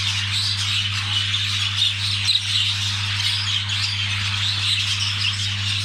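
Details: A chorus of budgerigars, recorded during mating, fills the air with fast, grating squawks and high warbled chirps in a continuous tangle, with a low mechanical hum underneath.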